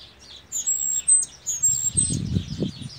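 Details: A Cuban grassquit (tomeguín del pinar) gives a continuous triple-whistled song without pause: thin, very high whistled notes, several drawn out and level, over a soft buzzy background, with a few dull low knocks near the end.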